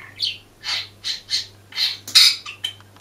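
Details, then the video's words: Budgerigar caught singing on a hidden camera, giving separate raspy squawks and chirps spaced about every half second, ending in a harsh burst and short clicks, with a constant low electrical hum beneath. "ПЕНИЕ ВОЛНИСТОГО ПОПУГАЯ"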